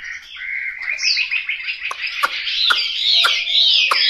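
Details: Chinese hwamei kept caged at home in Hanoi, singing a rising run of rapid whistled notes into a rich warble, punctuated by several sharp clicking knocks.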